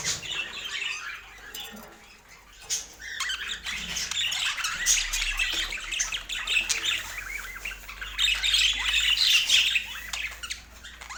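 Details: Budgerigars in a domestic setting calling as they taste healthy food: dense, continuous high warbling chatter with rapid squawky notes, swelling louder toward the end, faint low hum underneath.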